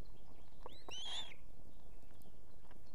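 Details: Osprey female on her Estonian nest with two chicks, summoning the male with food at evening: one brief, clear whistled chirp rising then levelling, preceded by a faint shorter note, amid constant low rumble.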